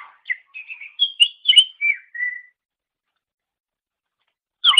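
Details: Greater green leafbird song from a master recording used to train songbirds: a short phrase of clear whistled notes, rising then stepping down, followed by silence and one more sharp note at the end.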